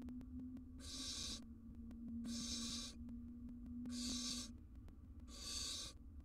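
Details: Barn owl family in a wild nest box, male arriving with a big jird: four drawn-out, rough hissing screeches spaced about every one and a half seconds, over a steady electrical hum.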